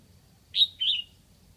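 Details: Red-whiskered bulbul kept as a decoy in Lạng Sơn, calling to attract wild birds. It gives a clear, bright two-note whistle, the first note short and piercing, the second fuller and drawn out, with a quiet low rumble behind.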